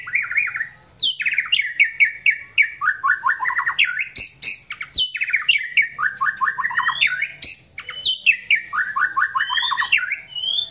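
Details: Relaxed song of a white-rumped shama: loud, rapid runs of short descending whistled notes, repeated in bursts every second or two, mixed with high sharp chips and a faint background hum.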